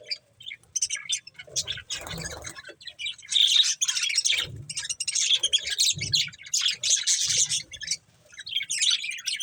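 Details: Budgerigars eating corn give a steady stream of high chirps and scratchy warbling chatter, with dull pecking and rustling thuds beneath.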